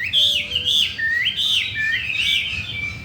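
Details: Chinese hwamei, a new bird four days home that sings well and wants to breed, repeating loud, rounded whistled loops that swoop up and down about every half second.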